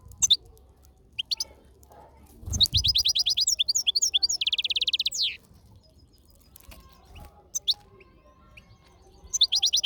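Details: A European goldfinch sings outdoors in nature from a salaka. Scattered high chirps lead into a long, fast twittering run that ends in a buzzy, slightly lower trill. A soft thump or rustle is heard just before it.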